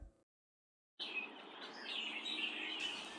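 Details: A large flock of Red-winged Blackbirds hidden in reeds at Cosumnes River Preserve near Sacramento, California, fills the air with a dense, steady chatter of high chips and whistles, overlapping too thickly to pick out single birds.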